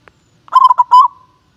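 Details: Contest-class calling of a local zebra dove, a frequent champion bird: one phrase of several rapid staccato coos ending in a drawn-out, fading tone, in a quiet setting.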